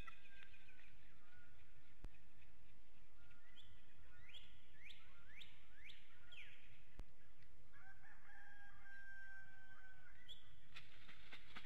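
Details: Bald eagles at their nest in Hanover, Pennsylvania, on an infrared nest camera during the morning wake-up at 7:06 a.m.: a run of four or five sharp, high, down-slurred cries. A drawn-out rooster crow follows faintly in the distance.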